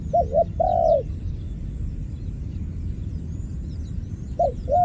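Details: ['Coos of a ground dove, two trapped and one escaped: two quick arched notes and a longer flat coo at the start, a long quiet gap, then two more coos at the end, against a low hum and faint distant twitters.']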